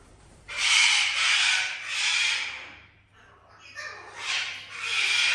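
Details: Loud, drawn-out harsh screeches from a pet parrot in a house with exotic animals: two long grating blasts about a second and more each, split by a brief pause.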